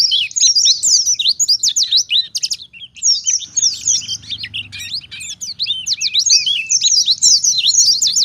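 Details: Oriental white-eye, a wild-style song used as a lure to draw answers from other white-eyes: a dense, continuous stream of high, fast twittering and sweeping chirps, tumbling and varied, with a brief gap near three seconds and faint low background hum.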